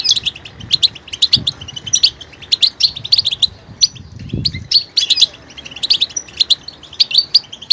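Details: Goldfinch song rich in vocal detail: a continuous stream of high, tinkling chirps and liquid twitters, with a faint low thump partway through.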